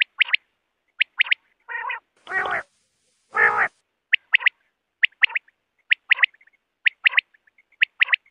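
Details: Common quail night call: crisp, liquid three-note calls repeated about once a second, broken midway by two louder, harsher bursts.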